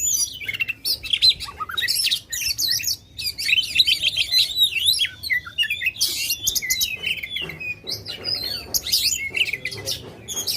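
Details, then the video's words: Loud Oriental magpie-robin song used to provoke contest birds: dense, varied phrases of twisting whistles, harsh scratches and quick chirps, barely pausing, with rising and falling slurred notes repeated in rapid succession. "kacer gacor ngobra suara lantang ampuh buat pancing emosi kacer kontes"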